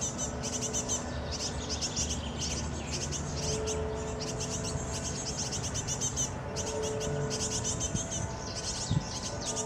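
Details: Great tit fledglings being fed by adults beg with high, hissy, rapidly repeated chirps in dense overlapping bursts, over a steady low hum in the background.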